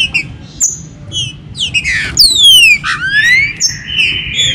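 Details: Green-winged saltator, captive, singing a warm-up song meant to stimulate other birds: short notes building into loud slurred whistles, a long descending glide, then rising notes.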